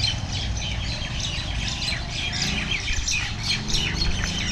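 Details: Fighting common mynas, one aggressive bird subduing and sitting on another, give a harsh, continuous jumble of squawks and chattering notes over a steady low rumble.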